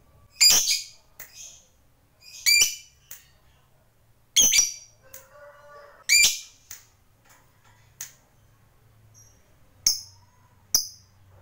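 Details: Fighter lovebird kept as a hobby bird, uttering scattered sharp, rasping squawks roughly every two seconds, with softer chirps and a brief low warble between them indoors.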